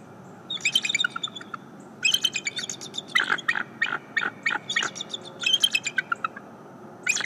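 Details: Morning greeting at a bald eagle nest on a live camera: repeated runs of thin, piping chirps, some rising and some falling, coming in groups of several notes with short pauses between them, over constant hiss.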